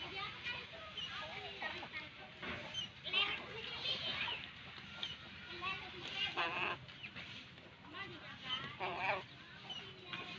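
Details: Crow chicks being fed: bursts of harsh, raspy begging calls with stacked, wavering overtones, several in quick runs around three, six and nine seconds, over a steady low background hum.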